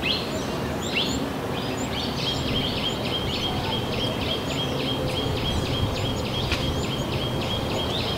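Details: Small minivet at Narsapur forest, India; a rapid run of high buzzy notes repeated several times per second for about six seconds, with a few thin whistles before, against steady background noise.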